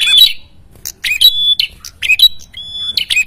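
Ashy Tailorbird giving loud, sharp chattering notes with clear high whistles, phrases repeating roughly once a second; no other sounds stand out.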